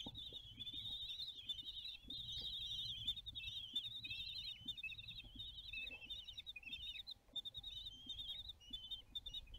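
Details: Common kestrels at mealtime on the nest balcony in Théding, France, 20 June 2022, filmed by nest webcam; continuous high, wavering, trilled calls rise and fall in pitch almost without pause for ten seconds, with faint rustling and tapping beneath.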